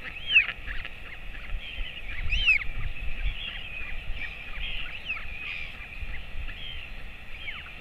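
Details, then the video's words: Royal albatross at the Top Flat nest, an adult male feeding his 217-day-old chick at 11:35 am on 28 August 2024. Short rising-and-falling nasal calls repeat throughout over a steady low wind rumble. "Royal Albatross~😊 Dad is feeding TFT"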